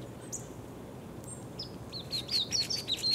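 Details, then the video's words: Green-tailed towhee at Owl Canyon near Bodega Bay, Sonoma County, California: thin high chips and short downslurred notes, sparse at first, then quickening into a run of bright chirps toward the end, over low steady background hum. "Green-tailed Towhee (Pipilo chlorurus)"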